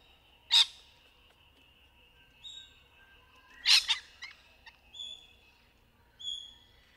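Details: Rainbow lorikeets in trees during courtship: sharp, harsh screeches at about half a second and near four seconds, mixed with several thin, high whistled notes and short chatter.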